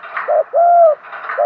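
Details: Close decoy spotted dove cooing to entice wild doves: a short low coo, then a long, smooth, slightly arched coo, then another short coo, with a faint buzzy background.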